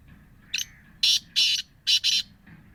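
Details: Grating call of a black francolin from Bhakkar district, sold as a captive bird. The short first note is followed by two long buzzy rasps and a rapid paired ending, with a faint low hum throughout.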